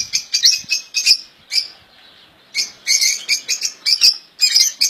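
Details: Royal goldfinch singing in a cage: tinkling, high chirps and quick twitters in short bursts, a gap of about a second, then a denser run of bright, jangling notes.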